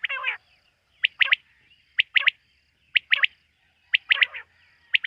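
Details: Night calls of quail, associated with hunting them. A harsh opening note leads into spaced pairs of sharp whistled notes about once a second, with a faint steady tone behind.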